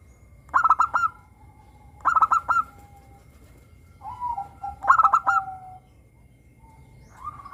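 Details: Local zebra dove with a crystal-clear voice, used as a lure so captive doves sing: three bursts of rapid stuttering coos with a drawn-out lower note, spaced about two seconds apart, over a low hum.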